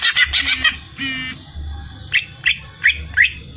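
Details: Greater green leafbird (cucak ijo) song opens with a burst of fast, bright chattering notes and a short harsh buzzy note, then slows to four separate sharp chirps spaced roughly every third of a second, with faint low background hum.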